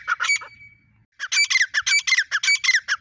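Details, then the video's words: Female grey francolin (teeter) giving a fast series of rasping, squawky notes, about two per second, after a brief quiet gap. "gray Froncolin female teeter Awaz"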